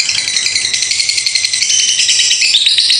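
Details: Continuous 'ngekek' of a lovebird, long and unbroken: a piercing, scratchy stream of rapid notes, rattling steadily, pitch lifting slightly at the end.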